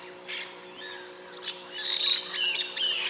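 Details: White-bellied parrot calls: a few faint shrill notes in the first second and a half, then a louder burst of harsh, squealing calls in quick succession over the last second, with a steady background hum.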